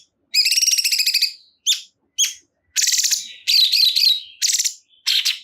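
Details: Loud cungkok bulbul song: a long grating rattled phrase, then short clipped notes and more buzzy, trilled bursts separated by brief gaps, with a thin wavering whistle between them.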